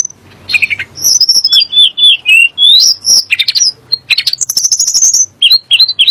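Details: Song of the Sunda blue robin, known locally as tledek gunung, said to agitate rival kacer and muri birds into singing. Dense, fast stream of whistles, buzzy trills and rising slurred notes, nearly continuous.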